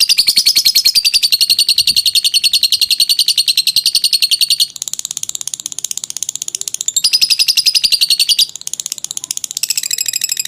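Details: Lovebird giving a long ngekek trill, used for training birds: a fast, steady stream of high, harsh chattering notes that pauses briefly twice and then resumes.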